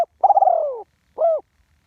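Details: Spotted dove recorded live, a ground decoy bird singing one-kuk style: a long pulsing coo that slides downward, followed by a shorter rounded coo. Nothing else heard.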